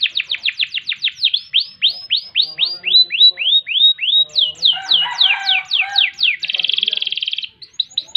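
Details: Canary song for tutoring young birds: quick falling whistles, rising slurs, then more falling sweeps, a short mixed chatter, and a buzzing trill near the end, all high and continuous.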